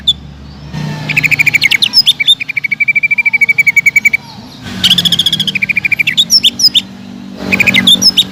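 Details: Cucak ijo, the greater green leafbird, delivering a long steady buzzy trill after opening chatter, then more bursts of stuttering notes and high whistled flicks; spicy lure song to rouse other leafbirds.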